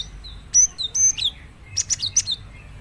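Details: Cinereous tit (gelatik batu) singing: two bursts of sharp, high whistled notes mixed with clicky chips, first a short phrase of three notes, then a quicker run of about six notes, over a faint hiss.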